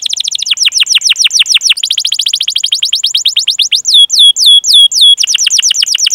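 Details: Canary song used to trigger singing in young or silent canaries: fast repeated downslurred chirps in long rolls, a short run of spaced hooked whistles, then a quick roll again.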